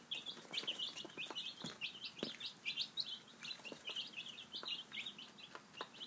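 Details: A group of five-day-old baby chicks feeding at breakfast, peeping continuously in dense, rapid high chirps, with sharp taps and clicks of pecking mixed throughout.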